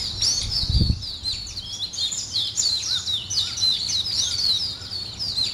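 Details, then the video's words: Several birds twitter in the morning, quick high chirps and slurred notes tumbling together, with a brief dull thump near the start and a few softer lower whistles later. "아침을 깨우는 새소리 2 ,Birds wake up in the morning 2"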